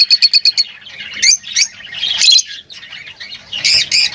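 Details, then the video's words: Lovebirds chattering: a quick run of five sharp chirps, then a busy mix of high squeaky twitters and short squawks overlapping from several birds. "Huni ng Lovebirds | Love birds Singing [ Call Sound ]"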